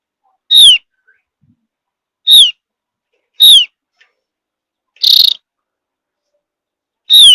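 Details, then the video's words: Javan grey-throated white-eye from high mountain forest, its whistle said to coax other birds to sing: four short downslurred whistles at uneven intervals, a raspy buzzing burst among them, clean quiet background. "Kicau Tipis, Pancingan Opior Jawa || Opior Jawa Memang Jagonya Bikin Burung Lain Ikut Nyaut~"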